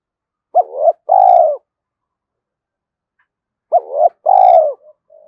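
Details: Two-part coo of a spotted dove, played to stimulate doves to call: a quick rising-and-dipping note leading into a long steady coo, given twice with a silent gap between.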